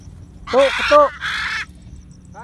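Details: Macaw in free flight at Bandung, giving two loud, harsh, broadband squawks of about half a second each, with a person's speech around them.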